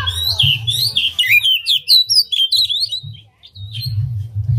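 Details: Oriental magpie-robin spreading its tail while singing a distinctive song intended to provoke other magpie-robins. Rapid, tumbling whistles and twitters pour out for three seconds, pause briefly, then resume, with a low rumbling hum beneath.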